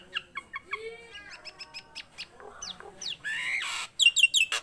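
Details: Vigorous singing from a tame caged Nias hill myna. Short clipped notes give way to a low whistle and rapid downslurred squeaks, then a long harsh rasp and a final run of high ringing notes.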